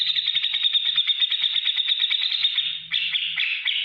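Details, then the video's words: Dense rapid ticking chatter of a grey-cheeked bulbul, ngetik ngipik style meant to make other cage birds answer; high buzzy notes run continuously, dipping slightly before a rougher second phrase, a faint low hum underneath. "masteran cucak jenggot gacor beset ngetik ngipik untuk segala burung apapun nyaut"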